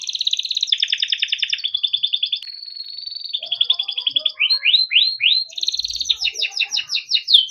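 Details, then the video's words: Timbrado canary delivering melodic training song: long pulsed rolls, a steady whistled tone, a series of rising sweeps, then a bright rapid trill. "Timbrado canary singing beautiful melodic songs for training and listening"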